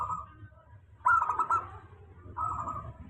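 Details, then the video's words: Local zebra dove song played as a steady lure for lazy-singing doves. Two short bursts of quick rolling cooing notes at an even pitch, separated by a quiet pause, over a low background hum. "suara pancingan perkutut lokal. suara stabil cocok utk perkutut malas bunyi"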